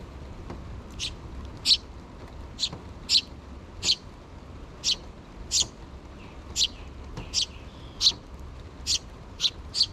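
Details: Two sparrow chicks begging their parents for food before leaving the nest: steady run of short high chirps, about one each half second to second, over low background hum.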